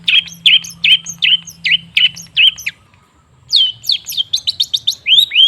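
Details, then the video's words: Cendet, the long-tailed shrike, in a lure recording: a row of six or seven identical downslurred whistles roughly every half second, a brief pause, then a quicker series of rising and falling chirps. "Suara TERAPI pancingan cendet macet supaya rajin bunyi..!!!"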